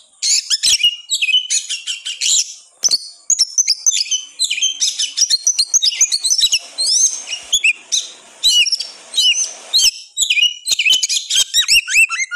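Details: Kacer, the oriental magpie-robin, delivering nonstop 'gacor' song used as a lure to stir lazy birds into singing: rapid bursts of sharp chirps, clicks and brief slurred whistles, tightly packed with short gaps, varied and energetic throughout.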